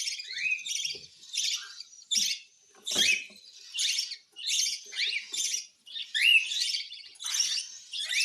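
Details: Cockatiel begging for food at hand-feeding, loud grating hissy pulses about once a second, with rising squeaks and faint soft clicks beneath.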